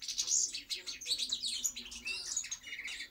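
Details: European goldfinch song: rapid, dense twittering of high tinkling notes and short buzzy trills running continuously, with no pauses.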